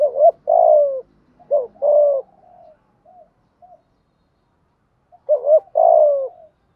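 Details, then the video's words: Spotted dove giving the 'thúc gù' urging coo, played as a lure to stir wild doves into answering: low hollow coos, a quick double note then a longer falling coo, twice, then faint short notes and another phrase after a pause. "chim cu gay thuc gu, chim cu gáy bài bản giúp bổi nghe gáy theo và rất nhanh nổi"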